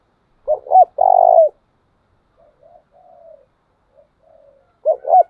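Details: Spotted dove used as a decoy for dove training: a loud two-note pickup and long sustained coo, quieter wavering coos in between, then the clipped two-note opening again at the end.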